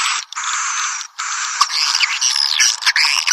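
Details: Swiftlets in a calling-sound lure recording made to attract the birds, piezo version: dense, continuous high buzzy chattering and twittering with short gaps, sharp whistled chirps rising and falling over the top in the second half.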